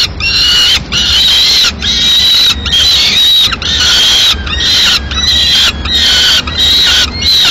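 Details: Female peregrine falcon reaching the nest in Madrid with a pigeon carcass at mid-morning; harsh, loud, strained calls, about a second long, repeated with short gaps.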